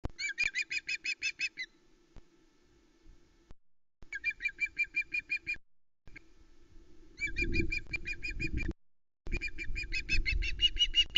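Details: Vera, a juvenile female osprey on the Loch Arkaig nest, Scotland, on 1 September 2020, squawks over a huge trout brought by her father: quick bursts of shrill, whistled chirps, eight to ten notes at a time, over a steady low hum and gusts of wind.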